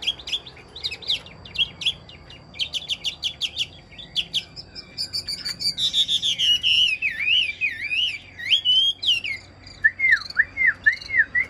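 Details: Caged Chinese hwamei singing: rapid bursts of sharp repeated chips and trills give way to rich, fluid, looping whistled phrases that rise and fall, ending in short repeated swooping notes.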